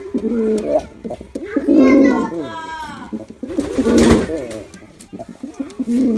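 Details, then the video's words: Deep gurgling coos from a performing male pigeon, several phrases in a row, with a harsh broadband noise burst around the middle and fainter higher tones in the background. "Male Pigeon Super Performance || Male Pigeon Sound"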